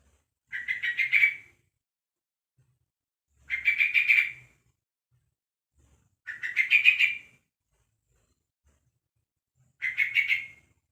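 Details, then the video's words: A one-month-old young yellow-vented bulbul calling to other bulbuls: four short, rapid chattering bursts, each about a second long, repeated roughly every three seconds. Quiet background. "Suara Burung Trucuk Umur Satu Bulan || Suara Panggilan Burung Trucuk Muda"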